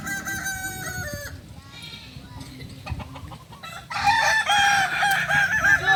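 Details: Rooster of the Kokok Balenggek breed from Solok, West Sumatra, at a practice gathering. One crow ends early, a quieter spell with distant birds follows, then a loud, long, layered crow rises and holds to the end.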